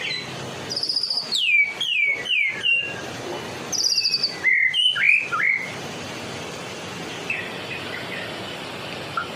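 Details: White-rumped shama from Medan singing hard, used to draw in other shamas: high buzzy notes followed by sweeping downslurred whistles in two bursts, then quieter distant notes over hiss.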